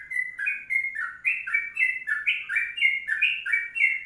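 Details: Sooty-headed bulbul giving a long 'kongslet' rapid-run song, lively and persistent, for tutoring: clear two-note whistled phrases, each a low note then a slightly higher one, repeated about every third of a second in an unbroken chain. No other sounds.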